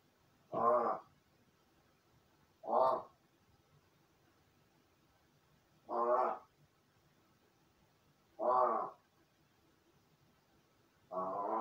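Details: Pet crow practising calls and human-speech imitation after playing alone, filmed indoors from outside its room: five hoarse caws spaced roughly two to three seconds apart, each brief and throaty.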